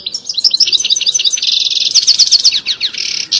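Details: European goldfinch mating song heard by a female that then takes the mating posture; loud, close, rapid liquid twitters and tinkling chirps, with a short buzzy trill and quickly repeated high notes.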